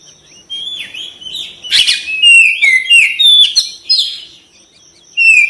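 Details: Oriental magpie-robin (kacer) singing in a stimulation recording: rapid varied whistles, slurred notes and chattery bursts, rising and falling, roughly a phrase every second with brief pauses.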